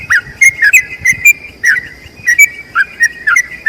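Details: Yellow-vented bulbul in a long trill for teaching other birds: short clusters of warbled whistles and sharp clicks separated by brief gaps, with a low faint hum beneath.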